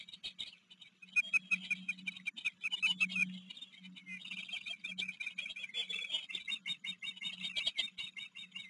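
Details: Ospreys at a Maryland river nest in late July, with a fledged young bird from another nest staying for hours; dense overlapping high chirps and squealing whistles, bursts and pauses, with a faint low hum beneath.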